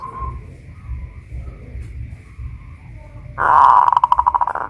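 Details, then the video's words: Caged Pajajaran-type zebra dove in Kuningan, West Java, singing loudly once hoisted on its pole: a sudden strong phrase of rapid, pulsing coos breaking into steady throbbing notes, after a quiet low-noise start. "Perkutut lokal pajajaran jawa barat gacor rajin bunyi"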